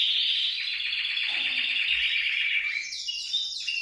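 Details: Canary singing to encourage caged canaries: rapid pulsing trill with evenly repeated beats, ending in higher sweeping whistled phrases.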